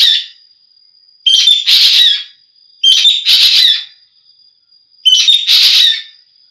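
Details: Green magpie calling loudly: three grating, buzzy bursts about one and a half seconds apart, each led by a brief clear whistle. A constant thin high tone hums in the background.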